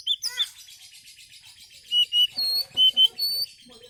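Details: Oriental magpie-robin song meant to lure other birds: a run of clear, high whistled notes repeated in quick succession over faint background chatter.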